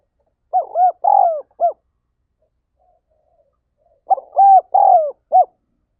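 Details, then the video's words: Spotted dove urging call ('thúc gáy gọi'), used for stimulating decoy birds: two bursts of four rounded, hooting coos each, the bursts about three and a half seconds apart, otherwise quiet. "Tiếng Chim Cu Gáy Thúc Gáy Gọi"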